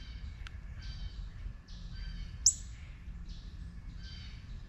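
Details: Juvenile northern cardinal with a few spaced, thin downward-slurred call notes and one abrupt bright chip in the middle, set against faint low ambient noise.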